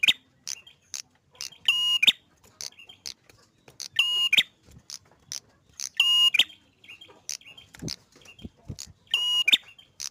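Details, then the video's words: Prinia singing vigorously, four loud buzzy rasping bursts with whistled tones spaced about two to three seconds apart, separated by quick high chips and short ticking notes. "Prenjak narung gacor"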